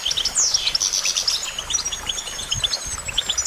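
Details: Goldfinch song opening with a loud descending buzzy sweep and a rapid twittering run. Evenly spaced bright chirps follow over a thin sustained high whistle.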